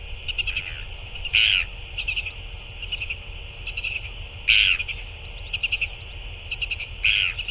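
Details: Northern royal albatross on 9 February 2024 as two adults feed their chick; loud harsh bursts about every three seconds with softer clipped notes chattering between them, steady hiss behind.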